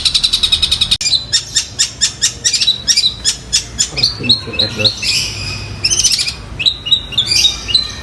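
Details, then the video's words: Long-tailed shrike singing loudly and imitating fighting sparrows and a kingfisher: rapid run of sharp, high chirps about five per second, then a jumble of varied squeaky, buzzy and whistled notes. "Cendet Gacor suara Gereja Tarung dan Tengkek Buto"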